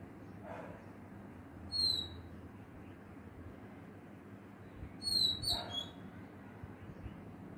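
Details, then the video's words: An Oriental magpie-robin sings two short bursts of clear, high whistled notes a few seconds apart, over a steady background hiss. "Oriental Magpie Robin (bird) singing"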